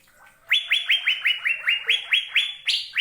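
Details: Asian fairy-bluebird singing a brisk, even series of about twelve ringing, upslurred whistles, near four per second, the final notes stepping slightly higher.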